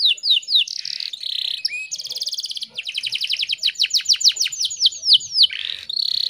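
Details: Canary song from a female in breeding condition, calling to lure a male: quick falling notes and a buzzy trill, a rapid even rattle, then long runs of sharp downward sweeps and a closing rolled phrase.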